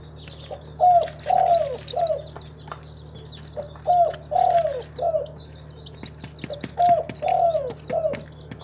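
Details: Captive local spotted dove (tekukur) kept in a collection at a farm in Timika, Papua, giving a three-note cooing phrase, short note, longer drawn-out middle coo, then a short end note, repeated three times against a steady low hum.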